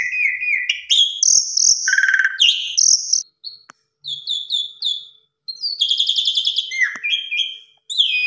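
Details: Vigorous Asian pied starling song packed with pumping fill phrases: sliding whistles, buzzy bursts and a pulsing rattle, broken by two short silences, then a rapid repeated chattering series.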